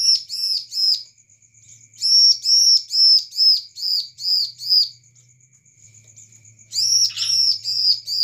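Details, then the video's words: A bar-winged prinia sings loud, high, sharp chirps in quick bursts of three to five notes, used as a lure call, with a faint thin ticking trill between bursts. "ciblek gacor"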